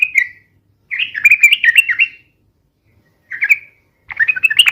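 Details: Ropel-style song from a sooty-headed bulbul: a short slurred note, a rollicking warbled phrase of about a second and a half, a brief burst and another quick jumbled run.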